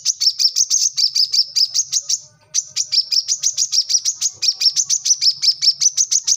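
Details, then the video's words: Lively gacor song of a brown-throated sunbird (kolibri kelapa, manggar, wiceh), kept as master audio for tutoring young birds: a rapid, nearly unbroken stream of piercing high chirps, pausing once briefly before racing on, with a soft low hum underneath. "kolibri kelapa | manggar | wiceh | korlap gacor"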